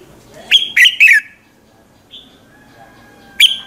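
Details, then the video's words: A red-whiskered bulbul's lure song for rousing other birds, sung in the morning: a three-note falling whistled phrase, then a faint soft note and a lone sharp note after a pause. "luyện giọng chào mào hót buổi sáng, Hót hay nhanh lửa"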